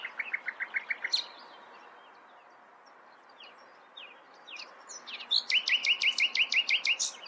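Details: Common nightingale song: a quick string of clipped notes, a pause of quieter scattered phrases, then a loud, fast series of repeated sharp chirps, roughly eight per second.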